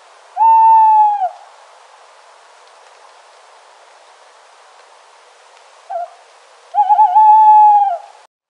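An owl gives two long, steady, hollow hoots about six seconds apart, with a brief short note between them, over a faint background hiss.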